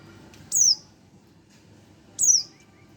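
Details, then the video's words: Young Oriental white-eye aged one month gives two high, thin descending chirps about one and a half seconds apart, with soft low background noise. "burung pleci 1 bulan"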